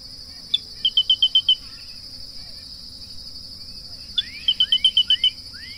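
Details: Grey-breasted crake: two bursts of about seven quick, high, even notes, each led by one note. Another caller adds rising slurred whistles, with a steady insect drone behind.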